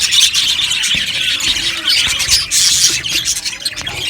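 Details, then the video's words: Budgerigars in an aviary colony, many birds calling at once: dense, overlapping high chirps, squeaks and warbling chatter that runs without pause through the whole stretch. "Amazing Budgies chirping sounds | Budgies parakeets sounds"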